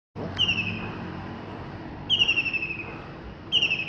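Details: Common kingfisher in Penang on 24 December 2020, loud for its small body, giving three thin, shrill, slightly falling whistles, each about half a second long, over a low rumble of distant traffic.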